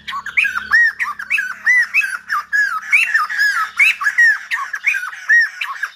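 Silver-headed babbler singing a loud, continuous run of rich warbled and slurred notes, several each second, with a faint low hum in the opening second.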